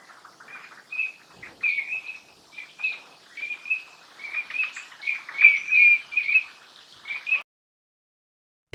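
Eurasian teal giving short, ringing whistled notes, several a second, with overlapping calls suggesting a small group. A soft hiss of background noise runs underneath.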